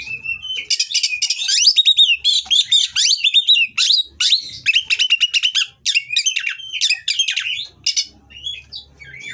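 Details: Captive Oriental magpie-robin in Indonesia delivering mating song to rile rival birds: a long, fast, nearly continuous stream of scratchy chips and whistled slurs, about two notes per second-half beat, ending in soft whistles.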